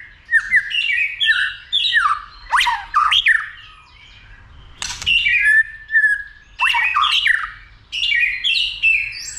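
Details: White-rumped shama agitated into combative singing while tail-flicking; loud, varied warbled phrases with sharp descending sweeps, delivered in bursts separated by short pauses of a second or two.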